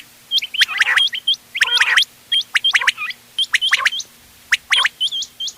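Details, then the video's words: Mixed quail calls for hunting, 31 October 2025. Crisp, upward-hooked whistles fire in fast strings, broken by two denser rasping bursts, in a lively, uneven rhythm. "بٹیروں کی مکس آواز quail bird sounds for hunting bater ki awaaz"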